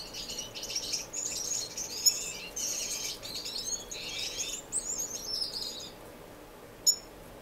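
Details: Finches kept indoors in a non-breeding community aviary in Edmonton, Canada, March 26, 2015, twitter in rapid buzzy bursts for about six seconds, then fall quiet apart from one sharp chirp.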